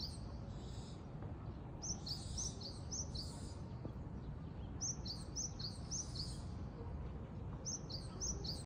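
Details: Japanese tit in Japan singing short phrases of high two-note notes, repeated in three bursts of several notes each, over steady low rumbling background noise.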